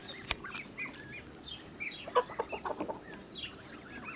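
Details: Blue Muscovy duck mother with her ducklings on a farm, 8 July 2017; scattered short high chirps and peeps, louder cluster of clipped notes in the middle, over low background rumble.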